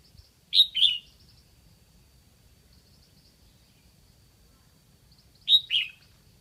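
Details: Decoy red-whiskered bulbul from Lạng Sơn singing to lure wild birds: two loud phrases about five seconds apart, each a bright pair of whistled notes, the second slurring lower, over a faint steady high hum and soft low rumble.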